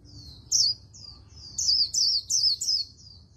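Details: Oriental white-eye singing the very fast líu style with a magpie-robin-like voice: loud, high, warbled swoops alternate with softer thin notes in a quick chattering sequence over a quiet background.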